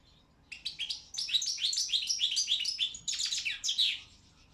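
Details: Competition song of a Balkan goldfinch for a world championship judged online by a Serbian breeders' association; after a brief pause, a continuous rush of sparkling twitters, buzzy slurs and rapid trills.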